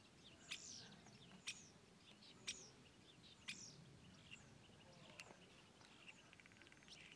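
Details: Common starling at Mali Lipoglav, Slovenia, on 25 February 2024, giving sharp, high, slightly falling calls about once a second, mixed with softer chattering notes over a low background rumble.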